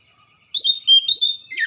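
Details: Oriental magpie-robin in song, used to prompt silent magpie-robins to sing: a sweet run of slurred whistled notes ending in a sharp downward-sweeping note.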